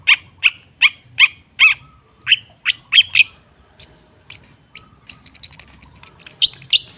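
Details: Cendet (long-tailed shrike) lure song: about eight sharp harsh notes repeated at steady half-second intervals, then thin high ticks, building into a fast, high-pitched twittering trill.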